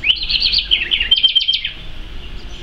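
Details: A wild House Wren, recorded 17 June 2023, sings a rapid, bubbly burst of high chattering notes and trills lasting under two seconds, with faint background hum.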